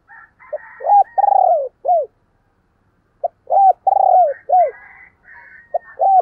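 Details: Spotted dove used as a decoy, calling to draw in wild doves. Two mellow cooing phrases are separated by a pause, each a few short coos around a long rolling, downslurred note, with faint higher chirps of other birds.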